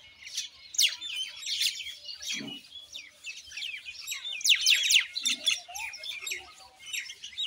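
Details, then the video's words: Common Indian myna: scratchy chirps and buzzy squeaks in uneven bursts, loudest near the middle, with a couple of short low grunting sounds in the background. "Common Indian Myna Bird Sound"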